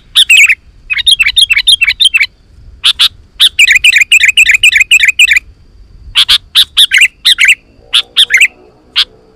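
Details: Sooty-headed bulbul song meant to stir wild bulbuls into replying: rapid chattering series of bubbly notes alternating with spaced sharp chips, with a faint low hum near the end.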